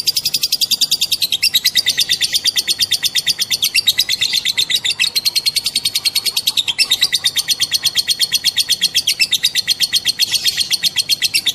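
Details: Long 'ngekek' trill from a female lovebird, used to spur other lovebirds to sing: fast, shrill chattering notes run on continuously, broken only by brief slight dips in intensity before resuming.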